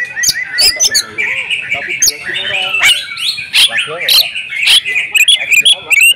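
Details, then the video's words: Domestic female oriental magpie-robin singing persistently: a busy tangle of warbled whistles, harsh notes and sharp clicks, varied and overlapping, with a steady whistled band running underneath. "KACER RUMAHAN IKUT GACOR BONGKAR ISIAN SERTA NGOTOT || KACER BETINA"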